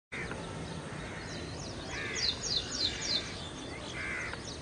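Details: Ashy prinia in a backyard by a small shallow water catchment on the Gadhi River, Panvel, Maharashtra, India: a quick run of four high, sharply down-slurred notes near the middle, with a steady noisy background and lower calls at both ends.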